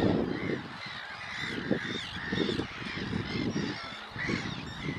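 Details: Glossy ibis croaking in deep, rough, broken grunts, several bursts each second, while thinner wavering cries of other birds run above them.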